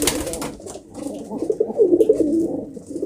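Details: Pigeons (kobutor) cooing indoors: a low, warbling, rolling coo with a loud rustle or flap at the start, and faint chirps above.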